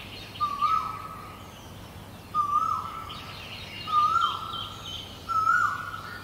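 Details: In Guangzhou, April 2022, a great barbet gives four loud wailing notes, each a short upward flick followed by a sustained falling tone, spaced about 1.5 seconds apart, over faint high twittering of other birds.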